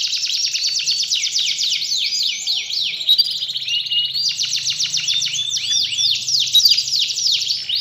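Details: Canary song used as a lure to get a lazy, quiet canary singing actively again; long, fast rolling trills of repeated high chirps and sweeping notes, changing from one trill type to another with no pause.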